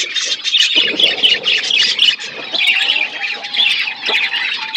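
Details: A flock of pet budgerigars eating food, filling the air with dense, overlapping chirps and squawky chatter that runs on without a break, with a faint thin whistle underneath.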